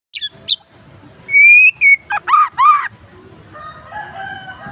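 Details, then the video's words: Wild white-rumped shama singing a rich, varied song: a few brief high chirps, then a long clear whistled note, followed by loud paired arched notes with a buzzy edge. A soft background hum continues throughout. "Mb isian mewah"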